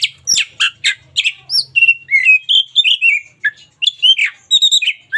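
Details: A local Oriental magpie-robin sings briskly, kept as a daily training model: a run of sharp chips, then clear whistled notes rising and falling in quick varied phrases, with a faint low hum early on.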